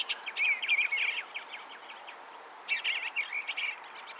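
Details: On a farm in Ontario with forest, swamp and meadows, an eastern bluebird delivers two soft, gurgling warbled phrases of rapid wavering notes separated by a brief gap, over faint background hiss.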